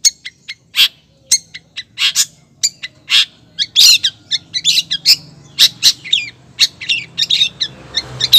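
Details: Female long-tailed shrike calling to a male: a rapid series of sharp, harsh high notes and short chattering bursts, some clustered, others spaced irregularly, with a faint low hum underneath.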